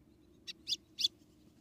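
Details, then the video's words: Female white-throated seedeater from Rio Grande do Norte, Brazil, calling to stimulate the male: three short, high, sharp chip notes in quick succession, the second and third louder, over a quiet low hum. "Fêmea de golinha ou patativa brejal chamando e macheando para esquentar o golinha"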